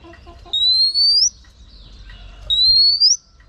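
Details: Female oriental magpie-robin giving two drawn-out, ascending whistles to provoke males, each ending in a brief upturn, separated by a soft lower slurred note, with faint clucking sounds at the start.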